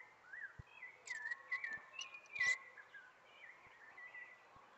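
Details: Spring song of a sabiá thrush, with looping whistled notes that dip and climb, broken by brief high chirps and faint clicks in a quiet outdoor setting.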